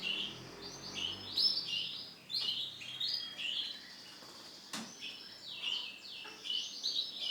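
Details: Male canary singing a continuous rolling song of fast repeated trills and buzzy phrases that shift pitch every second or so, over a steady background hiss and a brief knock.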